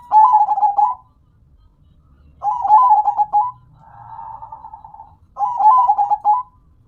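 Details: Local zebra dove (perkutut) singing actively: three rapid, stuttering cooed phrases about a second long, with a softer, smoother purring trill between the second and third, quiet background.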